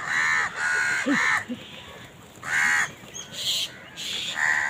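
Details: Crows squabbling over food; loud hoarse caws come in separated bursts, with a few shorter, higher squawks between them and a background hiss.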